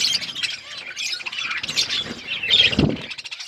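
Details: Pet budgerigars chirping while eating food: continuous chattering, scratchy high warbles and squeaks from several birds, with a low thud of feeding noise near the end.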